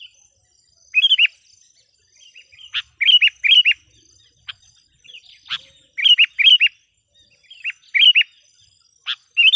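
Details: Decoy sooty-headed bulbul calling to draw in wild ones: pairs and triplets of quick slurred chirps at irregular gaps, with sharp clicks between, over a faint steady high tone.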